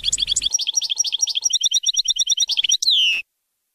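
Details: European goldfinch tutoring song for young birds: steady, rapidly repeated chirping notes in a long run, closing with a sliding, falling whistle; a low hum sits under the opening.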